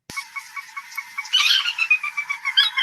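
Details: Sora (Porzana carolina), one of the birds to listen for in southeast Arizona in November, gives a quick, steady run of high nasal notes, then a louder squealing burst breaking into a falling series of whinnying notes.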